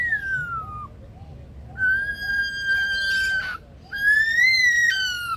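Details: Captive male Superb Lyrebird at Adelaide Zoo's rainforest aviary imitating other sounds: a falling whistle, then a long flat tone ending in a noisy burst, then a rising-and-falling whistle with harmonics, over a faint repeating low beeping.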